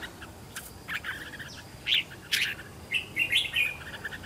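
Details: Home-trained red-whiskered bulbul decoy singing its fighting song to lure wild bulbuls: a string of short, bright chirps and quick twittering notes, louder clusters around the middle and end.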